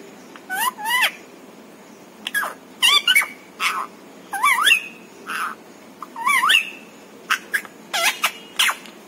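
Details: Pet parrot chattering words like papa and mummy; a string of about a dozen short squawky syllables with quick upward glides, delivered in irregular phrases over nine seconds.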